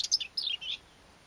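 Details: Common whitethroat recorded on 29 April 2012, giving a brief fragment of scratchy song: a few quick, slurred, descending notes within about a second.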